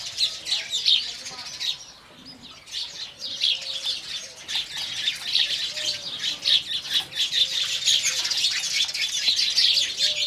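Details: Indian house sparrows at morning, chattering in dense high chirps that briefly quieten near the two-second mark, then resume steadily busier and louder.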